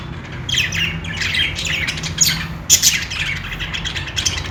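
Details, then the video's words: Budgies chattering: a continuous mix of scratchy chirps, thin whistles and a sharp louder squawk near the middle, with a steady low hum in the background. "parakeet chirping sounds"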